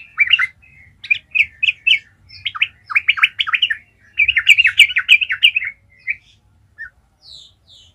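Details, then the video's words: Sooty-headed bulbul (trucukan) in energetic 'gacor ngalas' song, used as a lure to spur other bulbuls into singing: bursts of bubbly, chattering warbled notes in quick runs, a short pause, then a longer tumbling phrase and a few stray chirps. "Trucukan gacor ngalas ahlinya bikin trucukan lain kepanasan langsung jadi gacor ngalas"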